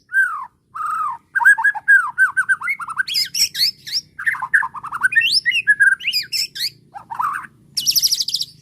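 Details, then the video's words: White-rumped shama, agitated by a bait sound, answers at once with its repertoire: short slurred whistles, quick rising and falling notes, and harsh high bursts, delivered in a rapid varied stream. "PANCINGAN JAHAT MURAI BATU EMOSI BIKIN LANGSUNG NYAUT DAN BONGKAR ISIAN DENGAR SUARA INI"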